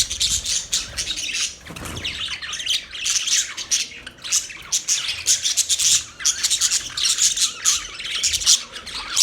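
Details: Budgies chattering in a continuous run of harsh, raspy high squawks and chirps, bursts swelling and fading every second or so, with a brief dip near the two-second mark.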